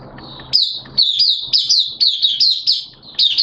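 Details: Buka singing by a caged Mata Puteh (Oriental white-eye), wet erratic weather, 11 September 2022: after quiet notes, a lively string of loud, high, downslurred twitters follows in quick succession, with a faint low hum beneath.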